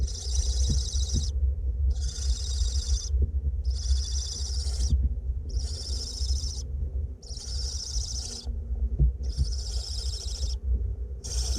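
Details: Barn owlets being fed in a nest box in north Glasgow give harsh, breathy hisses, each lasting roughly a second, repeated with brief pauses over a constant low background rumble.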